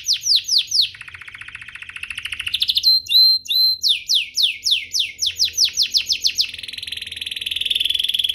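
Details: Domestic canary song played to get other canaries singing: descending whistled sweeps, a fast buzzy trill, clipped paired whistles, a long accelerating series of falling notes, then a steady rolling trill.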